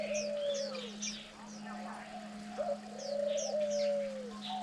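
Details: Diamond dove at the nest on day 9 of rearing chicks, parents competing to feed them, gives soft, low, drawn-out coos that sag at the end, against high twittering from other small birds and a steady electrical hum.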